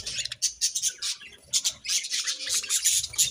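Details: Happy budgerigars chirping: a lively, continuous jumble of high, scratchy chirps, squeaks and short warbles, overlapping quickly with barely any pause.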